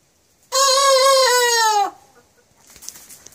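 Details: Young rooster that has only just begun trying to crow: a single sustained, rough, harmonic-rich note of about one and a half seconds, ending in a drooping break, followed by faint rustling.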